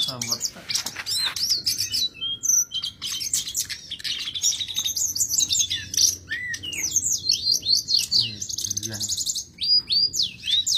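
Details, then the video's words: Sulingan gunung singing lively, energetic song used as a training recording for other songbirds; dense run of high whistled notes, rapid chirps and sweeping slurs, almost continuous, with brief pauses between bursts. "MASTERAN BURUNG SULINGAN GUNUNG| kicau gacor burung sulingan"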